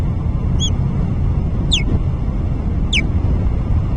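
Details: Osprey at its nest, recorded by a nest camera at the SSEN Transmission Alyth Substation on 30 July 2024: three short, high, down-slurred chirps about a second apart, over a steady low rumble of wind or machinery.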